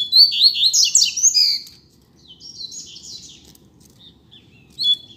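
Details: Coleiro seedeater, part of a pair outdoors on the street, opens with a loud dense warble of high chirps, softens into a quieter trill, then resumes with a clipped final note.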